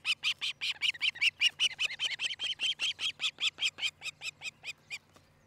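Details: Osprey calling at its Charlo, Montana nest, captured by a nest cam on a July 2018 morning: a loud, rapid chain of over twenty high whistled yelps, slowing and fading toward the end.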